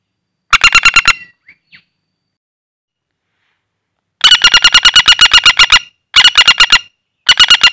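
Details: Common flameback, wild and caught by luring, calling vigorously in the hand: a short rattle, a long quiet gap, then extended rapid runs of harsh, metallic notes in quick succession.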